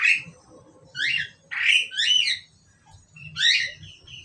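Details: A pair of Asian pied starlings, caged, calling in harsh, buzzy bursts with whistled overtones, five loud squawks spaced about half a second to a second apart, low rumble beneath.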